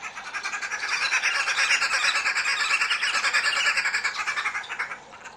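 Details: Red-billed wood hoopoes at the nest feeding chicks give a loud, harsh, rapid cackle, about three notes a second, building into a continuous chattering chorus that fades out after five seconds.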